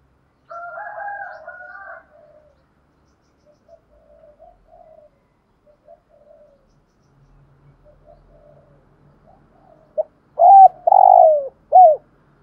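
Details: Decoy spotted dove with the 'giọng thổ' voice. A hoarse, two-toned wavering call opens the recording, then long soft intermittent coos, and finally a loud low phrase of short coos and a rolling falling note.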